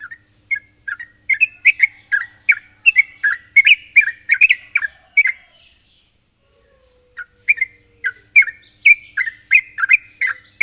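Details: Sooty-headed bulbul calling to a rival: lively runs of sharp, slurred chirps, a two-second lull, then another brisk series of bright notes; a faint constant high whine and low hum behind.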